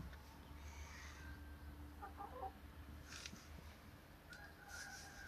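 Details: Chickens on a farm go about their normal life: a short cluster of soft, low clucking notes in the middle, quiet and brief, over a steady low hum and faint rustling background.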